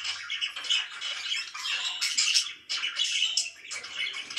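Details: Pet budgies in the morning, chattering loudly with harsh squawks and quick twittered notes, the chorus pausing briefly near the middle before starting up again.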